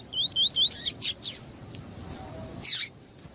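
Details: Coleiro tuí-tuí double-collared seedeater, male and female calling to warm up a male: about a second of high, undulating whistled slurs and buzzy notes, followed by quiet and one harsh burst.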